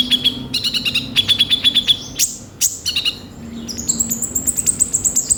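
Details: Konin sunbird lure song: rapid high chirp trills, sharp downward-sweeping notes near the middle, then a very high fast twittering series, all over a soft low hum.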